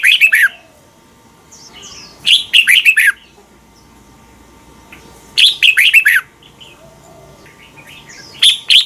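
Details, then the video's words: Caged Red-whiskered bulbul from Thailand, in a recording played each morning to teach birds to sing: a loud, fast phrase of bright warbled notes repeated about every two and a half to three seconds, with quiet gaps between. "นกกรงหัวจุก | Thailand bird | ฝึกหงอนเป็นเวลา 30 นาทีทุกเช้าเพื่อช่วยให้นกเรียนรู้ที่จะพูดได้อย่างรว"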